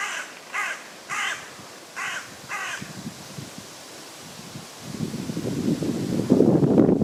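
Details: A common raven croaks five times in a rapid, rasping series from a tree in a West Sussex forest, England, followed by loud rustling and wind noise.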